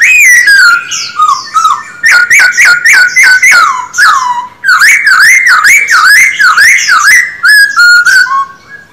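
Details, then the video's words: Male Silver-eared laughingthrush kept caged for song training, pouring out a long, loud, fast run of sharply rising and falling whistles with rich overtones, almost without pause. "Khướu bạc má hót quá đỉnh"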